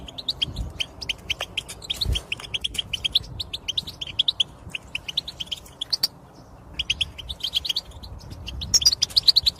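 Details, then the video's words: Goldfinch twittering intended to stimulate silent males to sing: rapid high chirps in steady runs, a short pause near the middle, then renewed bright trills. "بتبتة حسون سحرية في تحفيز الطيور على الغناء و الهيجان"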